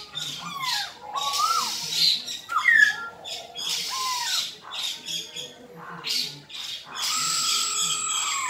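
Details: Black-throated laughingthrush in fighting song: loud whistled notes, slurred up and down, alternating with harsh broadband squawking bursts, with a rich mix of clear phrases and rasping noise throughout.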